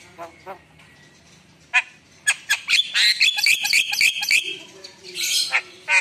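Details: Javan myna singing a varied song: scattered harsh squawks at first, then a dense burst of raspy, chattering and whistled notes, ending with further loud squawks.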